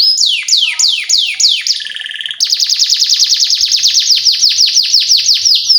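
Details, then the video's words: Canary song used as a lure for training young canaries: loud repeated descending whistled sweeps, a brief buzzy low trill, then a rapid fast-repeated series of chirping notes. "PANCINGAN Kenari GACOR PANJANG Cuit CUIT EMOSI ini AMPUH utk MASTERAN Kenari PAUD belajar BUNYI"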